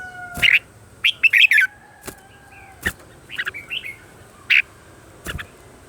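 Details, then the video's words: Red-whiskered bulbul singing in the morning as a decoy recording for voice training: short warbled phrases and bright single chirps over a steady hissy background with a faint continuous tone. "Luyện giọng cho chào mào hót sáng"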